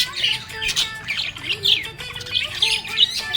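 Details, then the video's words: Happy budgerigar chirping: quick bright squawky chirps and warbles in rapid bursts, several per second, over a song with steady sung and instrumental tones playing throughout. "Happy budgie chirping sound"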